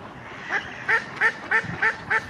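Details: Indian runner duck in Friedrich Ebertpark, Ludwigshafen am Rhein, giving six loud, nasal quacks, one roughly every third of a second, over quiet background noise.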